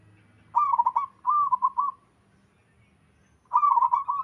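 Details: Wild local Zebra Dove calling steadily: a trilled coo phrase followed straight away by a longer, softer run of even rolling notes, then another bubbling phrase after a pause of about a second and a half.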